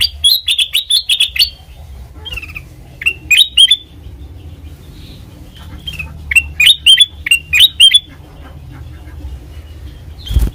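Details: Black-crested bulbul, recorded as trapping bait and master song: an opening string of rapid chirps, scattered short whistled notes, then a second burst of bouncy repeated phrases, ending with a loud knock.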